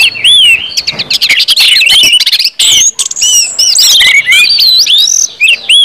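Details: An Orange-headed thrush gives 'ngeplong' song as a lure for other birds. Clear, wavering whistles mix with a rapid, rattling string of sharp notes, then rich, looping phrases follow.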